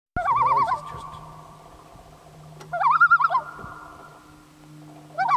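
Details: A lone common loon at Kamloops, British Columbia, at the end of summer 2013, heard while canoeing: wavering, yodel-like tremolo phrases in three bursts with ringing echo between them and a steady low hum beneath.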